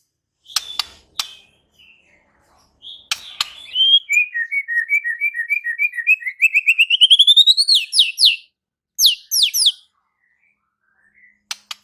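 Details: Murai batu, the white-rumped shama, answering in full song and unloading its repertoire. After scattered clicks, a long series of short whistled notes rises steadily in pitch and speeds up, followed by a few high slurred notes.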